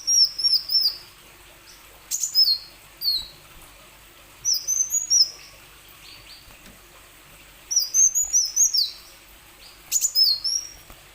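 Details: Plain sunbird used as a lure for other plain sunbirds: several short bursts of very high, twittering, down-slurred notes, each lasting about a second, separated by quiet gaps with faint background hiss.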